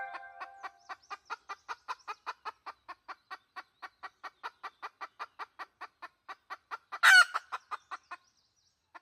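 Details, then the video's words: Decoy call of a red junglefowl hen for luring wild junglefowl, 2020: a long, steady run of short clucks, several a second, broken by one loud rasping squawk near the end. "Suab dib qaib qus poj tsauj. เสียงต่อไก่ป่า"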